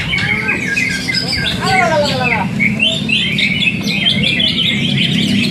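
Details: Competition Greater green leafbird, first-place winner for two seasons, giving harsh descending squawk-like notes followed by quick chattering, tweeting phrases, with a steady background drone and people talking.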